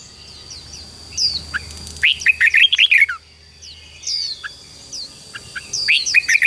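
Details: Training song of red-whiskered bulbuls meant to spur newly caught birds to sing: two lively bursts of fast, liquid, chirpy warbling separated by a pause with scattered slurred whistles, and a steady high hum.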